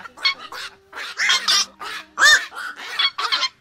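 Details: Black-crowned night heron flock call used as a lure for night net trapping during the August 2024 migration season: dense, harsh, overlapping croaking squawks, several each second, with a faint steady electronic hum underneath.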